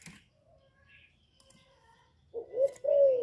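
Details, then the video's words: After a near-silent stretch with faint chirps, a spotted dove breaks in with a low rising coo and a longer falling one, recorded to prompt caged doves to sing. "Cu gáy lớn tiếng, không tạp âm, giọng hay dễ mở, cu gáy kích bổi, cu gáy đi bẩy, cu đất gáy, cu cườm"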